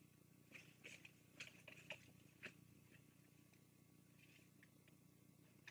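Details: Bald eagles at the Fraser Point nest, filmed by live cam on 24 June 2022 as the adult female drops off food for two eaglets able to feed themselves; high, thin chirping notes in an uneven run, fading to softer ones over steady low hum.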